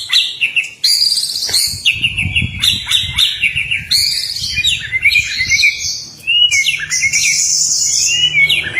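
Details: Courting male white-rumped shama singing to a female: varied whistled phrases and rich warbles broken by short pauses, with a low rumbling background hum.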